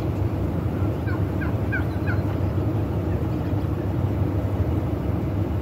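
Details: Wild turkey in a breeding display, a brief run of about five quick, rattling notes early on, followed by only steady low background rumble.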